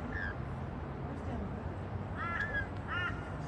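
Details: Two loud, harsh screeches with a rising and falling arch from rainbow lorikeets feeding on white bread on a patio. A low rumbling background runs beneath.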